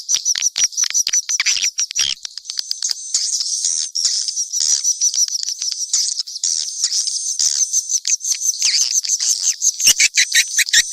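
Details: Swiftlets in a mixed chorus chatter continuously in high buzzy twitters, broken by sharp dry clicks, above a faint constant high tone.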